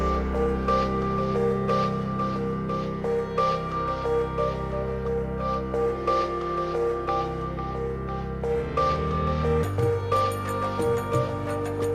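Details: Steady ambient music with sustained tones and soft pulses, and no animal voice anywhere.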